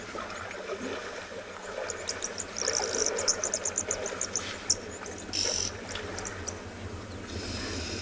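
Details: Red-billed oxpeckers at sunrise in Tswalu Kalahari Reserve, South Africa, near an elephant at water, give high, hissing, chattering calls in quick clusters with one longer drawn-out hiss, over a steady wash of trickling water.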